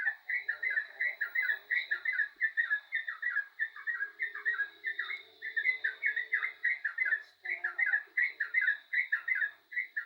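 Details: Energetic yellow-vented bulbul song, loud, dense and unbroken, made of fast bubbling slurred notes for ten seconds, with a faint steady high tone behind it.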